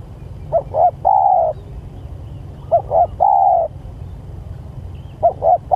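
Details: Spotted dove calling its companions, giving repeated phrases of two short coos and a sustained low coo, two full phrases and the start of a third, steady background hum.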